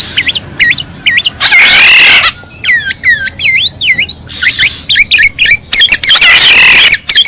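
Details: Black-naped oriole used as decoy: a quick series of clear fluty whistled notes, swooping up and down, mixed with two long harsh nasal cries.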